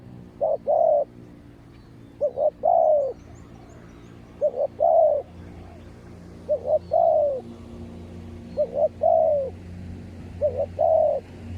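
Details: Spotted dove used as a decoy, answering wild birds with a steady run of six cooing phrases, each two short notes then a drawn-out descending coo, about every two seconds; low hum beneath.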